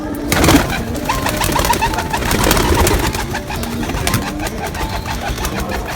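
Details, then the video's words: Black pigeons, with the sound meant to attract other pigeons: low, soft cooing runs through a busy background, broken by loud broadband clattering bursts, probably wing flaps, early on and repeated faintly throughout. "Black Pigeon To Black Pigeon Sound Effect || Pigeon Attract Sound"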